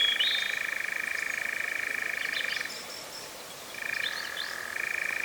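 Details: Drop-rig recording of a European Nightjar in Cefn Ddu forestry, North Wales, UK, the season's first in 2026: a steady mechanical churr that stops for about a second, then resumes, with thin high bird notes above.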